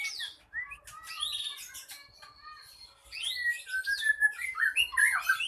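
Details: Fiery song from a caged ekor pendek songbird trained for contests, intended to provoke rivals. Varied phrasing of downslurred whistles and scratchy chatter builds into a loud, busy stream of warbles and trills.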